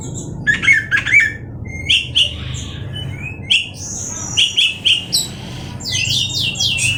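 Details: Oriental magpie-robin from Indonesia uttering clipped chirps and short whistled notes in spaced bursts, ending in a quick downslurred phrase, with low steady hum behind.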